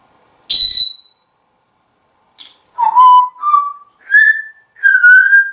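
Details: Pet African grey parrot, a male hatched in 1997, on a Texas kitchen counter giving a sharp high whistle, then four pure whistled notes stepping upward in pitch and holding, spaced roughly half a second apart in a quiet room.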